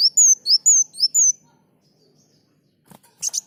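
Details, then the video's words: Olive-backed sunbird, a lively singer in an Indonesian bird-training tutor recording: six thin, sliding whistled notes, alternately rising and falling, about two per second, then a pause and a few short buzzy bursts. "Masteran Burung Kolibri Muncang Gacor"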